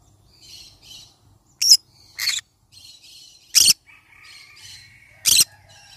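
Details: Yellow-sided conure parrot calling with four sharp, rasping squawks spaced unevenly over six seconds, with faint twittering between them.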